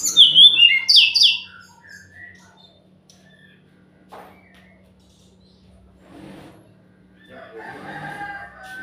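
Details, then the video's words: Sumatran laughingthrush lure song meant to provoke a reply from birds that will not sing: a loud opening of sharp, descending whistled notes and squeaks, then near silence, then soft chattering phrases over a faint low hum. "pancingan SRDC yang gak mau bunyi pasti nyahut"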